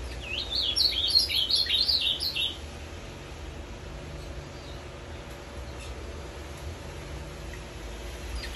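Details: Caged ultramarine grosbeak, kept for five years, singing a quick phrase of sweet, slurred whistled notes rising and falling for about two seconds, then quiet room noise with low hum.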